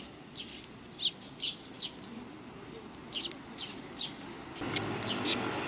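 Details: Sparrows arriving to be fed on the front path of a Tenmangu shrine, 29 May 2020: clear short chirps in loose groups of two or three, with background hum rising near the end.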